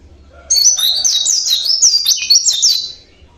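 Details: Natural song from a local Javanese Oriental white-eye: after a quiet start, a bright, high, rapid twittering phrase of zigzagging notes carries on for over two seconds, then stops.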